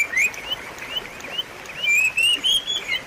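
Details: Shama song played to encourage a non-singing bird: thin, rising whistled notes repeated quickly, with a few louder drawn-out slurs near the close.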